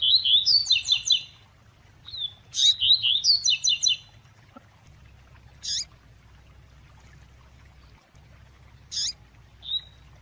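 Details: Female double-collared seedeater giving the fast tui tui call meant to stir up a male. It opens with rapid stuttering strings of high bright notes, then isolated sharp chirps every few seconds over a faint low hum.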